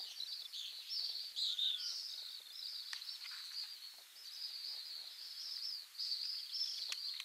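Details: Pacific swifts at a breeding site in Mongolia give shrill, buzzy trilled screams, high-pitched and overlapping almost without pause as several birds call together, with faint clicks in the background.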